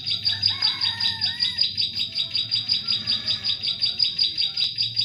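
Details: Bar-winged prinia song played as a trapping lure for birds in forest: a high, thin note repeated quickly and steadily, about two and a half per second, throughout, with faint lower whistles from another bird behind.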